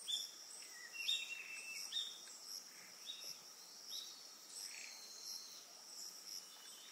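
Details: Eastern yellow wagtail recorded on Amami Oshima, Japan, giving several short, thin, high calls spaced under a second apart in the first half, set against a constant shrill cricket chorus.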